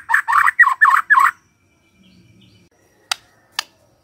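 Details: White-rumped shama morning song used as a lure to get a quiet bird singing: five rapid, harsh, scratchy bursts in quick succession, then a faint low murmur and two sharp clicks.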